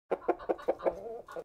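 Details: Chicken in a barn giving a run of quick, low, throaty clucks about a fifth of a second apart, one drawn out into a longer wavering note, then a final short cluck; no other sounds.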